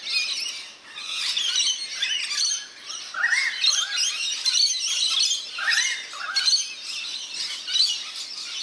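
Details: In a backyard birdbath in NSW, Australia, bathing rainbow lorikeets keep up loud, harsh, squawking chatter with rising screechy phrases every second or so, loudness pulsing throughout.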